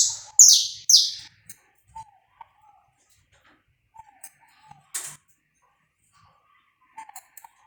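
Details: Warm-up song of a saffron finch, recorded live and uncut: three loud, sharp, descending high notes in a fast burst, then scattered soft low whistles and one more short high note.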